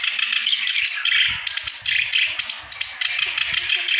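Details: A clamorous reed warbler in full song to encourage silent birds to sing, pouring out rapid scratchy, chattering phrases mixed with shrill whistled notes; faint low bumps in the background.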